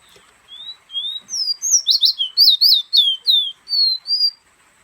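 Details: Guyanese fire red kept as a pet, perched in a hand and whistling a phrase. Soft rising notes open it, then about ten fast ringing slurred whistles follow, closing with two longer clear tones, in a quiet room.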